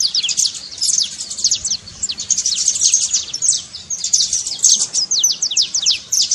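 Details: Trincado song of a saffron finch, played to get a silent canary singing: a nearly continuous chatter of sharp, high, descending notes, tightly packed with almost no gaps.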